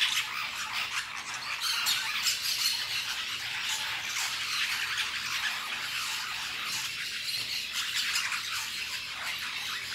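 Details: Flock of lorikeets eating fruit at La Fortuna: continuous shrill, grating chatter of overlapping squawks, steady in loudness across ten seconds, with no other clear sounds.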